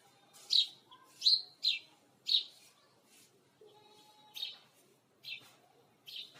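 Sparrows give bright, sharp chirps in bursts roughly once a second, irregular in pace, with faint softer twitters from other birds behind.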